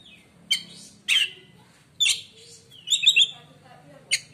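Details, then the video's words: White-rumped shama song said to silence other shamas: sharp whistled notes and short rising phrases in separate bursts about every half second to second, with a faint low hum beneath. "kacer lain di jamin langsung diam bila denger suara kacer ini"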